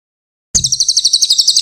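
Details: Mountain leaf warbler, a master recording for songbirds: a sudden, piercing high trill of rapidly repeated chips, roughly ten per second, goes on for about a second.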